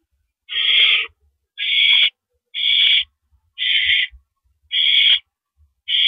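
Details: Owl screeching around a nest at 10:30 PM on April 5, 2012, during a mouse delivery. Breathy, rasping bursts come about once a second, six in sequence with clean silent gaps.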